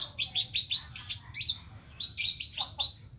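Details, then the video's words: Kolibri ninja singing in a lively, full-song style rich in filled-in phrases: fast bursts of high, sharp chirps and trills, each phrase quick and slurred, with brief pauses between runs and a low steady hum underneath. "Burung kolibri ninja gacor full isian mewah"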